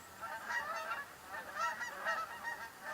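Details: Canada geese circle over a house on the morning of October 3rd, drawn by ducks in the open. Several birds give repeated, overlapping nasal two-note honks about twice a second over faint background noise.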